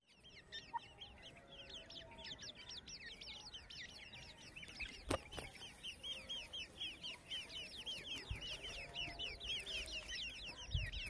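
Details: A grey francolin family checking for food in jungle gives a steady stream of high, twittering chirps that overlap one another, with a single sharp knock about halfway through.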